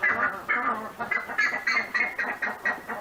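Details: Pantanal buff-necked ibis calling in a rhythmic series of loud, harsh, metallic honks, about two or three per second, each note short and nasal, with little other sound behind.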